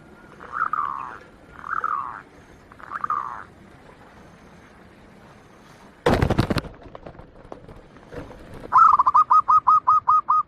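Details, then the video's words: A local Bangkok-type zebra dove (perkutut) gives three soft, rolling mid-pitched coos, then a quick staccato run of about eight bright, even notes; a sharp knock interrupts midway. "SUARA PERKUTUT"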